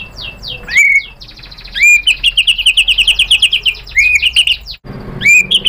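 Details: White-rumped shama in full song, provoked into replying and showing off its learned song material; high whistled notes, upslurred phrases and a long rapid run of repeated sweet notes, with brief pauses.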